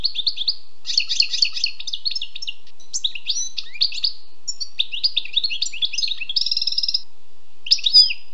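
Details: Wild European goldfinch singing a lively twittering song of quick, varied high notes and short buzzy trills, delivered in bursts with brief pauses and ending in a metallic rattle; no other sounds.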